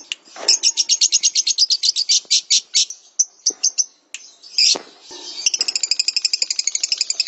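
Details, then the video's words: Lovebird master song for training songbirds: a fast run of sharp, high chirps at about four per second, a few scattered notes, then a rapid buzzy trill. "Masteran Terbaik Love Bird"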